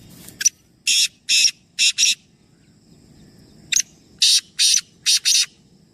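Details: Kala teetar, three birds present, giving the grating call twice: a click then four harsh buzzy syllables in pairs, phrases about three seconds apart, with soft low background noise.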